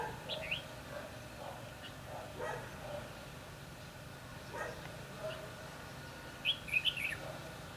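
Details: Red-whiskered bulbul kept as a decoy while trapping wild birds, 22 December 2015: after quiet rustling and distant noise, a brief burst of loud, tumbling whistled notes comes near the end.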